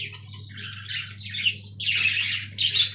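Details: Budgerigars kept in a colony aviary: several harsh, scratchy squawks in quick bursts, the loudest near the end, over a low steady hum.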